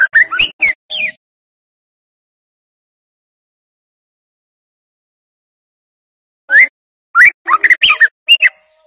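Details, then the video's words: A speckled juvenile white-rumped shama, played as a lure to help young shamas learn to sing: two short bursts of quick, sweeping whistled and twittering notes separated by a long silence. "Suara Pancingan Murai Batu Anakan TROTOL Agar Cepat Belajar Bunyi Ngeriwik Atau Ngeplong"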